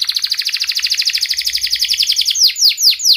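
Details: Canary that sings steadily, giving a piercing 'cuit cuit' rolling song meant to coax quiet canaries into song. A rapid, even, rattling trill of about eight notes a second, then three clear downward-swooping whistles.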